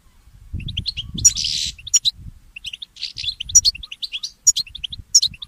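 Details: Mule goldfinch, a goldfinch hybrid, singing at dawn: spaced clusters of high tinkling notes and sharp chips, one brief buzzy rasp early on, faint low rumble in the first seconds.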